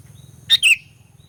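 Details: Sooty-headed bulbul lure song for provoking rival birds: a single quick two-note phrase, a sharp high note then a buzzy falling whistle, against a low steady hum.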